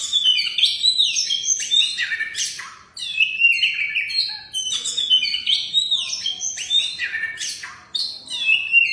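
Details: Oriental magpie-robin (kacer) that won first place in a song competition, singing a dense, continuous run of high, sharp chirps, trills and rapid whistled notes with scarcely a pause over nine seconds.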